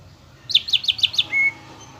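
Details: Greater green leafbird song used as a lure to provoke a caged bird: five quick, bright, piercing chirps in a row, then one short thin whistle.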